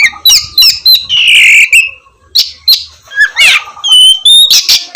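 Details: Oriental magpie-robin (kacer) singing, used to coax lazy magpie-robins into morning song; a mix of buzzy, drawn-out notes and crisp whistled phrases, with a few short pauses between bursts.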